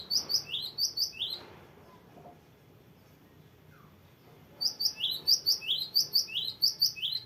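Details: Cinereous tit singing lively in a long, varied rolling song, kept for tutoring other birds: quick bright two-note phrases, each dropping then rising, run together for about a second and a half, a pause, then another, longer string.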